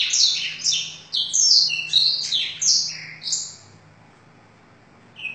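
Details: Canary trained with a full blackthroat song fill, singing a quick sequence of high, bright, varied chirps and slurred notes for about four seconds before falling quiet, with a low steady hum underneath.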